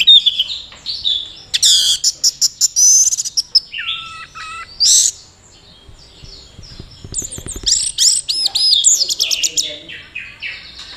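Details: Teler display by a caged orange-headed thrush from Mojokerto, a courtship behaviour, with a young handler: long, varied song of rapid clicks, high rattles, looping whistles and chattering phrases, with a brief lull midway.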